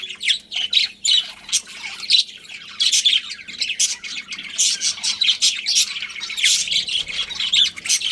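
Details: Chattering budgerigar colony: steady mix of high squeaky chirps and rough warbling notes from many birds over several seconds, with a faint low hum behind.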